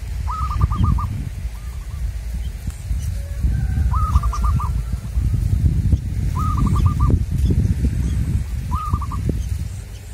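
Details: Local wild zebra dove during luring in the field: four short cooing phrases, each a brief hooked note followed by a quick stuttering trill, repeated roughly every two to three seconds over strong low wind rumble.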